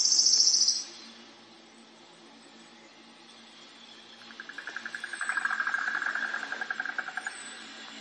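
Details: Common loon at Marl Lake in Kananaskis Country, Alberta, Canada, heard from the lakeside trail: a rapid, quavering tremolo of evenly pulsed notes swelling and fading over about three seconds, after a brief high songbird chirp.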